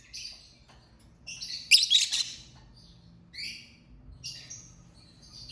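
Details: Lovebird chirping: soft high twittering rises into a loud harsh squawking burst near the middle, then fades back to scattered short chirps, with a low hum underneath.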